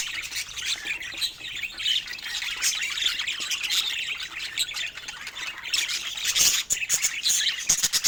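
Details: A group of pet budgies exploring toys keeps up a scratchy, squawking warble, thick and unbroken, with harsher louder bursts near the end.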